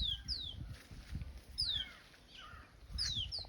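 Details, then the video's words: Birds on a peaceful village summer morning after the wheat harvest: thin high whistles sliding steeply downward, given in small clusters roughly every one and a half seconds, over a low rural rumble. "After the wheat harvest, a peaceful summer morning with birds chirping"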